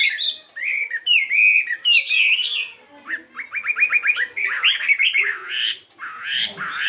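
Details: Fighting Chinese hwamei of 72 grams in morning singing practice, changing voice often: varied whistled phrases, then a fast run of repeated clipped notes and more rich warbling.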